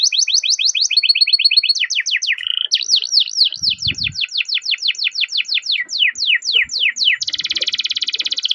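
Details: Canary performing a long rolling song to encourage other canaries to sing: fast trills, buzzy notes and repeated downward sweeps, ending in a dense buzzing roll, with a short low thump.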